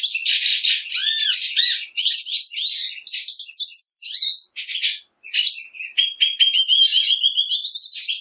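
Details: Black siskin song, Spinus atratus: extended high twittering with rapid chips, looping whistles and buzzy trills in several phrases, briefly pausing near the middle, then drawn-out whistled notes and chatter.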